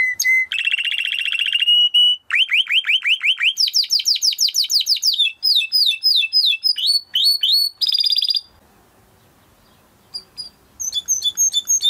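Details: Timbrado canary training song of quick rolling trills and varied repeated chirps, pausing near the end before a few more notes.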